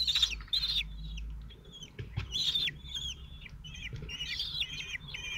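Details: Common Kestrel nest, Théding, France, 27 June 2023: the male feeds four calm, 17-day-old chicks. Loud squeals open, then thinner high calls with downward and looping strokes come in sparse bursts over a low hum.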